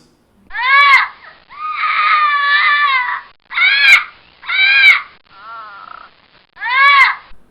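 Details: A parrot's alarm or distress call: six loud, wailing squawks, rich and nasal, one drawn out for nearly two seconds and one fainter, at irregular gaps.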